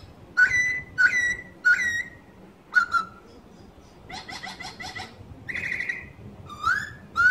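A laughingthrush gives loud, clear whistled notes in short slurred phrases, some rising and some falling, with a rougher, rich burst midway, over a quiet background.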